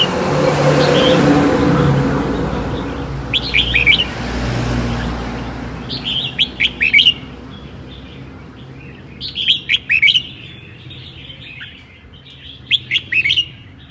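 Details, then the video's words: Red-whiskered bulbul from Sơn La singing in the 'ché' style on a cold day: after a few seconds of low rumbling, short bright warbled phrases of quick rising and falling notes arrive in bursts every few seconds. "CHIẾN BINH 7 MÓNG HÓT CHÉ NGÀY LẠNH"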